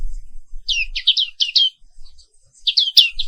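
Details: Black-capped white-eye from Indonesia singing in the morning: a fast run of five high, bending chirps, a quiet pause with soft ticks, then another quick cluster of sweeping notes.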